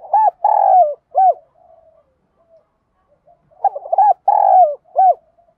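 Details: Spotted dove in field-style voice, calls used for training decoy birds: two phrases of hoarse, mellow coos, each a short note, a longer drawn coo and a clipped final note, separated by a quiet pause.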